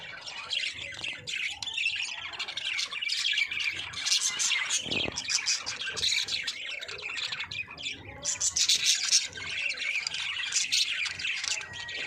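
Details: Many budgerigars chattering together in a breeding colony, a busy wash of high squeaky chirps, short squawks and warbling notes overlapping throughout, with brief lulls and louder bursts.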